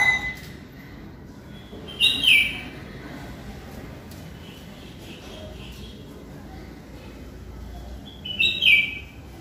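Red-whiskered bulbul giving two short bursts of bright, chirpy whistled notes, several seconds apart, over a soft background hiss.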